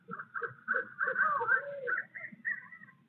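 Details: Barred owls, a pair in Midtown Tulsa, heard on 8 February 2022 giving pre-visit hooting and monkey-like chatter: rapid, wavering, harmonic cackling notes about three per second, rising and falling, with a low hum behind.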